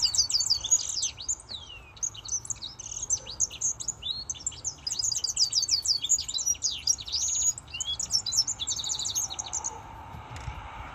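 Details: Male African citril singing, subspecies hypostictus: a long, rapid twittering run of high, thin chirps and short down-slurred notes, tightly packed and continuous for about nine seconds before stopping, with faint low background rumble.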